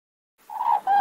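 A crane gives a brief, loud, rolling trumpet in two notes, the second held steadier and slightly higher, after a moment of silence.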